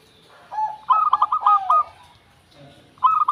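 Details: Perkutut, a local zebra dove, delivers a soft lead-in coo, then a rapid string of bright, bouncing mid-pitched notes ending in a drawn-out tone. A fresh staccato phrase begins after a pause.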